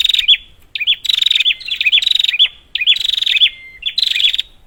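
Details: Prinia, played as a lure for silent prinias: rapid series of nasal, buzzy rattles with hooked upslurred notes, given in quick bursts with short gaps and an occasional thin level whistle.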